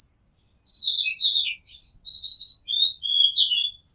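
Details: Rooftop recording of an Oriental magpie-robin: a varied run of short whistled and warbled notes jumping between high and middle pitches, delivered almost continuously with brief gaps.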